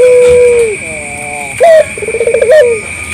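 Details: A local collared dove gives a long level coo sliding downward, then a short high coo and a quavering rolled phrase, calling to prompt other doves to answer; a faint constant high whine persists.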